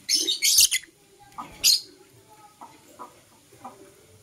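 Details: Green and blue Personata lovebird chirping in the morning: a quick cluster of shrill, scratchy high squeaks, another sharp chirp, then several softer short notes spaced apart.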